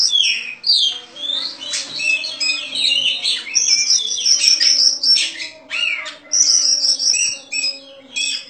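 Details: Contest-winning caged Oriental magpie-robin in continuous lively song: quick whistled slurs, buzzy trills and sharp chips, over a steady low droning hum.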